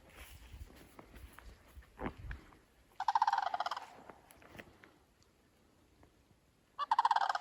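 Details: Loud flock of sandhill cranes on a September morning walk under a stormy sky with a rainbow; after scattered clicks and low thumps, two strong rolling, rattled trumpeting bursts near the third and seventh seconds.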